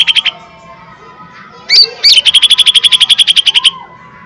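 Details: Lesser green leafbird lure song in the fierce 'tembakan' style used to provoke a response: brief whistled notes with upward sweeps, then a long, even rattling trill of about twenty rapid pulses lasting nearly two seconds.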